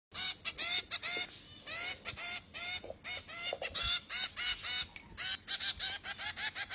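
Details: Finch chicks being fed, giving loud, rapid, harsh begging calls in fast irregular bursts of nasal, buzzy notes, nearly continuous.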